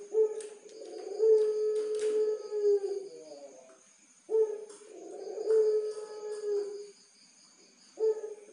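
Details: A Barbary dove of the pelung type gives tutor cooing, long drawn-out low coos each held for about two to three seconds and repeated, over a faint steady high-pitched hum.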